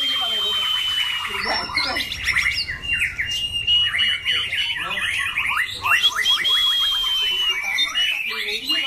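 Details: Caged white-rumped shama, a competition bird with a loud, harsh, changing voice and 23+ cm tail, singing dense, rich phrases with a long sustained high whistle running through rapid varied notes.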